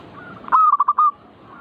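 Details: Zebra dove (perkutut) giving its manggung song, meant to stir birds into singing: one loud cooing phrase, a long whistled note followed by four quick stuttering notes, against a faint hiss.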